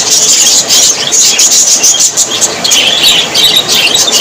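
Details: Budgerigars described as very happy produce a dense, bright stream of chirps and thin whistled squeaks, overlapping without break, intensifying in the second half.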